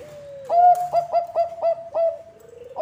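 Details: Bangkok-type zebra dove singing, a song used as a lure for other zebra doves: a soft opening tone, then six bright, rounded cooing notes in quick, even rhythm, ending in a lower sustained murmur.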